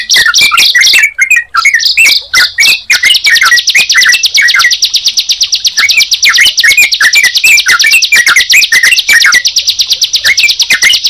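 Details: Sunda pied chat and yellow-vented bulbul brought together. Scratchy chirps and quick downslurred whistles build into a sustained, rapid high trill that carries on through most of the recording.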